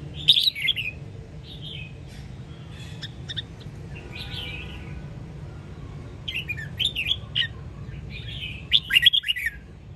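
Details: Red-whiskered bulbul, Sông Kon type from Quảng Nam, Vietnam, in a recording for training caged birds: loud rolling warbled phrases at start and end with quieter slurred whistles between, over low hum.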